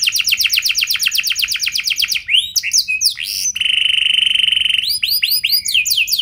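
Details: Canary singing in the luxurious long-burst style as a lure for other canaries: a fast trill of falling notes, varied whistles, a long flat buzzy rattle, then rising arched notes.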